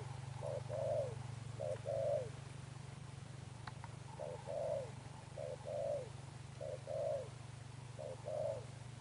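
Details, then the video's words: Wild-caught spotted dove cooing in the Sấm Thổ style, six two-note phrases, a brief note leading into a longer curving coo, separated by short pauses, over a persistent low hum with a couple of faint clicks. "Thúc Đồng Pha Sấm, Gù Âm Sấm Thổ, Bổi tướng bồ câu"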